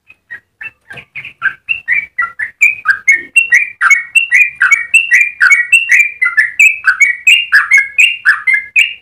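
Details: ['A yellow-vented bulbul in full voice, a long song run used as a tutor and lure for other bulbuls: softer burbling notes at first, then loud, rapid, liquid warbling whistles pouring out continuously.']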